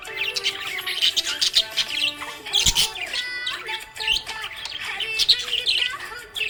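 A budgerigar chatters in rapid, high chirps and warbles over background music.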